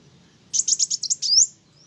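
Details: Kolibri wulung sunbird singing loudly enough to provoke other birds: a quick stuttering series of about seven high chattering notes followed by a thin, rising whistled note.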